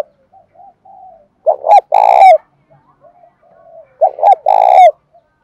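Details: Spotted dove in the 'bài bản bổi' song, used to urge a caged dove into cooing. Soft low hoots lead into two loud phrases, each a short double note followed by a resonant sustained coo.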